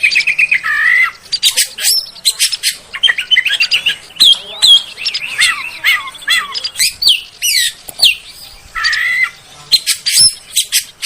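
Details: Oriental magpie-robin song meant as a lure to lift a kept bird's confidence: mix of clear whistled notes, dry harsh bursts and short slurred phrases, with gaps of quieter background between groups.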